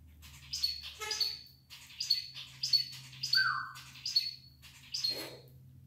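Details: A pet moustached (red-breasted) parakeet indoors, seemingly trying to console another bird, gives harsh, high chirps in a quick series, about two a second, with one clear whistled note and a low indoor hum.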